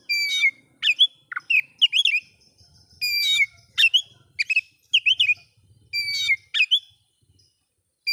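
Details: Oriental magpie-robin singing to agitate other magpie-robins. Clear whistled phrases of short rich notes are repeated in bursts about every second, with brief silent gaps between groups.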